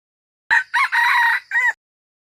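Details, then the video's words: Red junglefowl (qaib qus) delivering a loud, harsh crow. It starts sharply with a clipped note, then a second burst, a long grating middle phrase and a short tail syllable. "Suab lau qaib qus"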